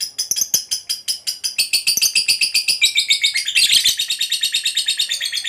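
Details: Fighter lovebird in full voice with its extended 'ngekek' trill. Separate sharp ticks quickly merge into a rapid, shrill pulsed chatter that climbs in pitch and stays high and intense to the end.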